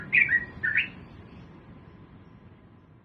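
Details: Sooty-headed bulbul heard in the morning, a lure for other bulbuls to start singing: two quick bubbly warbled notes in the first second, then only quiet low background noise.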